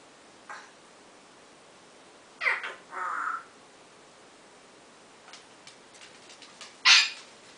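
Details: African grey parrot at home around 4:30 in the morning trying out its new favorite "owww": a harsh note sliding into a steady moan, scattered clicks afterward, and a final loud shrill burst.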